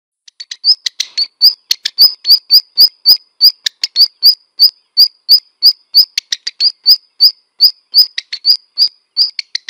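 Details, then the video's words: Black redstart calling in a steady series: sharp high notes about three per second, mixed with dry clicks and short ticking bursts. "Black redstart song and calls"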